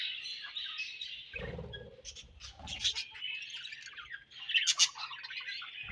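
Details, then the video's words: Budgerigars at feeding time, swapping food with each other, keep up a steady high twittering chatter with brief sharper squeaks and a few muffled knocks. "Búdǵíéś Fúń & Ćhíŕṕíńǵ śőúńdś"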